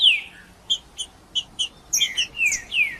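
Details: Warm-up singing of a green-winged saltator for a cold bird, a loud falling whistle, spaced single chips, then a lively run of chips and two long descending slurs.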